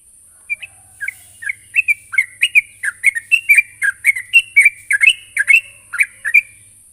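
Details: Chattering Sooty-headed bulbul calling a rival: a quickening series of short, slurred chirps about two per second, growing louder and busier, over a faint steady hiss.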